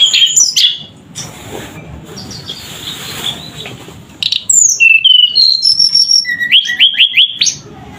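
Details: Tledekan singing: whistled phrases at the start, a quieter rustling gap, then a run of clear stepped whistles, ending in rapid rising notes repeated about five times.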